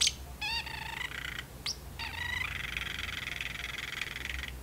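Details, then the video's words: Pet parrotlet going through its words in a kitchen cage; quick harmonic squeaks, a sharp rising chirp, then a long, buzzy, even-pitched chatter. "talking parrotlet"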